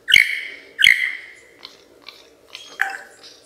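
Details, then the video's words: Mimicking lyrebird from Australia, a bird noted for copying camera shutters, saws and machine guns. Two sharp snapping clicks with ringing metallic tails, then fainter ticks and a final rasping burst. "Lyrebird Mimic sounds"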